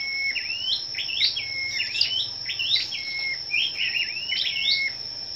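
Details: Scarlet-backed flowerpeckers gathered for competitive morning singing on 10 May: rapid, thin, high chirps and short rising-falling twitters repeated in quick bursts over a steady high-pitched whine.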